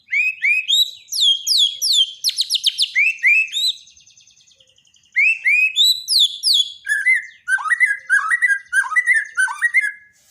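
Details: Borneo white-rumped shama giving daily training song for shamas that no longer sing: two long bursts of fast varied whistles, slurs and rattling trills, split by a pause of about a second, closing on lower warbled notes.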